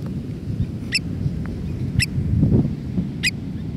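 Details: American Oystercatcher at Los Pantanos de Villa, Peru, gives three sharp, high piping notes about a second apart, over a steady low rumble of surf or wind.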